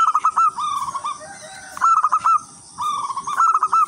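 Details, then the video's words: Zebra dove of local wild stock singing actively to lure others of its kind: quick pulsed coo phrases with rolling trills, three bursts in four seconds, separated by short quiet gaps. "perkutut lokal alam gacor irama merdu jadi pancingan semua perkutut"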